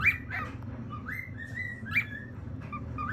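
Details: Cockatiel giving short whistled calls, mostly flat or gently rising notes, with a few sharper upswept chirps, over a steady low hum.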